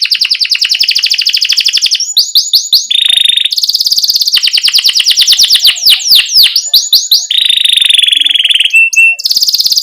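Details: Energetic canary singing with pauses between rolls, played to encourage young canaries to sing quickly: dense high trills, sharp rising and falling sweeps, steady buzzy tones and rapid chip series alternating across the phrase.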